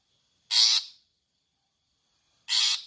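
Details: Long-tailed shrike giving its "toet toet" call, used to stimulate caged songbirds: two loud, harsh, raspy bursts about two seconds apart, each lasting about half a second, with silence between.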